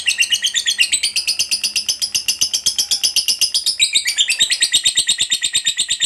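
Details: Lovebird in long ngekek song, meant to encourage other lovebirds to sing: continuous rapid harsh chattering notes, nearly three per second, with a brief stutter midway before the rhythm resumes.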